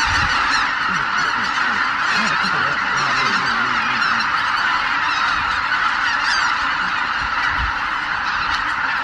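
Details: Greater white-fronted geese, a flock topping 83,000, lifting off from their Miyajima-numa roost in Japan at dawn on 23 April 2017, weather poor; continuous clamour of overlapping honking calls, with a few closer individual honks standing out.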